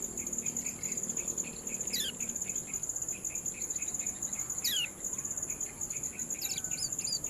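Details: Kecial kuning, the Yellow-bellied prinia, giving ciak calls for a bird-training recording: sharp descending sweeps at irregular intervals and a few hooked chirps near the end, over constant insect buzzing and faint ticks.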